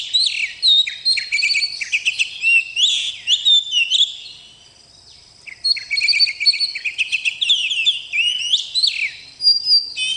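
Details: Oriental magpie-robin (kacer) singing energetically, a bakalan bird described as gacor: fast repeated chirps and whistled notes in two long phrases separated by a quiet gap of about a second.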